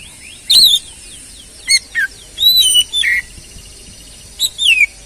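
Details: Oriental magpie-robin song played to get another bird singing again: scattered phrases of sweet downward-sliding whistles mixed with short harsh notes, with quiet gaps between them.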